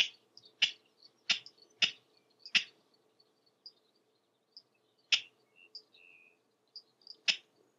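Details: Wild King Rail persistently calling on a spring morning in Mallory Swamp, Florida: harsh, dry 'kek' notes given singly and in quick pairs at uneven gaps, with faint high chirps from insects or small birds behind.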